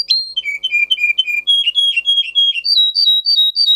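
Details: Russian singer canary, a singing breed, in tutor song for canaries: varied whistled notes, first lower rolling tones, then a middle run of bright slurred notes, ending with a higher repeated two-part phrase.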